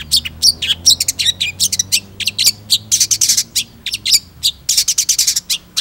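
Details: Long-tailed shrike singing actively in a continuous stream of rapid, scratchy, high-pitched chattering notes and short squeaks, packed closely with brief gaps, over a faint low hum.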